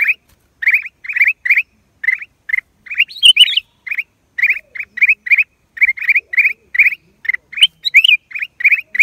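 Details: Black-crested bulbul, April 2023: a long run of rapid, chattering chirps, joined twice by a higher, squeakier call, background otherwise silent.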